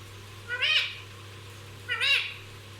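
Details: Talking pet parrot giving two short, nasal, arched calls about one and a half seconds apart over a steady low hum.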